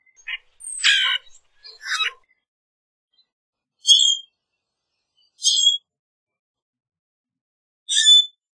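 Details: Common grackle calling and singing: a broad rasping buzz, another rough note, then three short shrill squeaks spaced about one and a half to two seconds apart, high-pitched and metallic.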